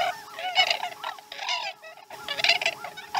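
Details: Chesapeake nest osprey calling at morning feeding time, 2019-12-12: loud, ringing, slurred whistled notes run together in two rapid bursts separated by a brief gap, with a faint constant background hum.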